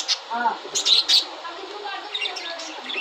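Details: Budgerigars of yellow, sky-blue and red-eyed varieties kept together during breeding season, with eggs being laid. Short bright chirps cluster near the start, then a quieter, continuous warbling chatter follows.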